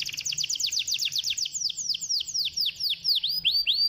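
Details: Canary song used to get a lazy canary singing: a rapid string of descending whistled notes that gradually slows into wider, spaced downward sweeps.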